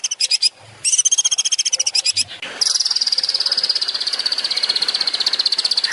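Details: Long-tailed shrike in a master recording for training songbirds, a 'tembakan' (rapid-fire) style song: high, dense buzzy trills of fast repeated pulses in short bursts, then a long continuous rattling trill to the end.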